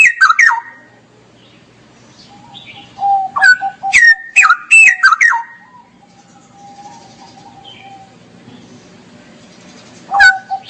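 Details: Straw-headed bulbul in gacor ngeropel song. Clusters of loud, rich whistles rise and fall sharply, broken by long quiet stretches with faint, soft low tones.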